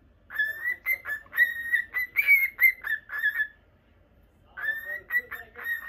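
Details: Pet Normal Lutino cockatiel, a young male brought home in 2020, kept in a cage in Japan; clear whistled notes near one pitch in quick bursts with harmonics, some rising, a pause, then more whistles.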